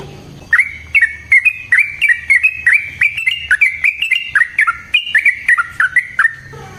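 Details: Sooty-headed bulbul in long, clear fighting song used as a master recording for training, delivering a steady stream of bubbly, slurred whistled notes for over six seconds after a quiet start.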